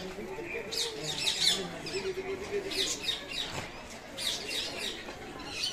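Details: Rose-ringed parakeets giving harsh, high squawking bursts that come in irregular clusters, with a low steady hum and some voices in the background.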